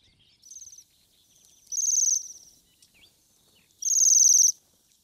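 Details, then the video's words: Bohemian waxwing (Bombycilla garrulus), a Russian forest bird, giving high, buzzy trilled notes, each about half a second long, with a couple of fainter, softer trills between. "Свиристель / Bohemian waxwing (Bombycilla garrulus)"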